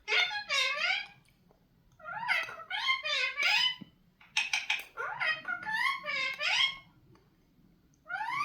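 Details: Indian ringneck parrot mimicking speech in a series of gravelly, word-like phrases with sliding pitch, about four bursts over several seconds, over a steady low room hum.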